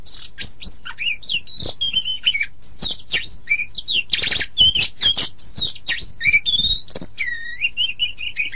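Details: Oriental magpie-robin master song for training songbirds: a long, energetic stream of looping whistles, sharp chips and a grating buzzy burst, ending in smooth U-shaped whistled slurs.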